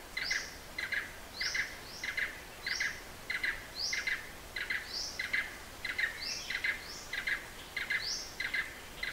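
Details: Repeated call of a blue-eared barbet in southern Thailand's Hala-Bala Wildlife Sanctuary: rhythmic double-knocked notes in a long even run, interleaved with a brighter rising whistled note every second or so.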